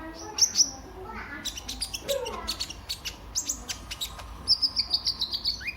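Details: Sunbird called kolibri ninja, recorded as a lure for other birds: scattered sharp high chirps, then a fast run of evenly spaced thin tweets near the end, with a low background hum.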